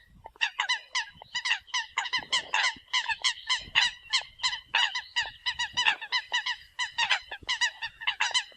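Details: Several Eurasian coots recorded as a decoy call, pouring out a continuous stream of sharp, nasal honking notes at a fast, fairly even pace with heavy overlap between birds.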